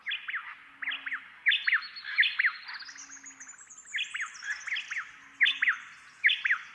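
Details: White-eared honeyeaters (Nesoptilotis leucotis) counter-sing in a spring–summer dawn chorus, two birds alternating the same dawn-only phrase in loud, ringing, slurred bursts about once a second, over another bird's thin rising-and-falling whistle and a faint hum.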